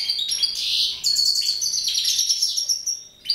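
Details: High twittering song from mutation goldfinches: a warbled opening, then an unbroken sequence of bright, trilled and jingling notes.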